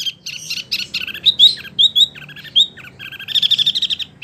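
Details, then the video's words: Wambi song for training oriental magpie-robins: a dense, jumbled warble with sliding whistles, ending in a fast rattling trill of tightly spaced notes. "SUARA BURUNG WAMBI PILIHAN SANGAT BAGUS BUAT MASTERAN BURUNG KACER,DAN LAINYA"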